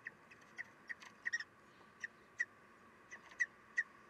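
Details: Common kestrel female feeding chicks at the nest, 3 June 2021, 9:12: sharp, short high-pitched peeps, each clipped and bright, repeated at uneven intervals of about a third of a second, some in quick pairs or triplets, over a quiet hum.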